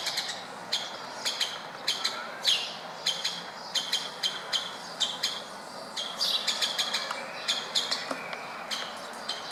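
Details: Short, sharp, high-pitched notes from wild woodpeckers at a window in Berceni, Bucharest, Romania, repeated steadily in uneven bursts, some doubled, over light urban background noise.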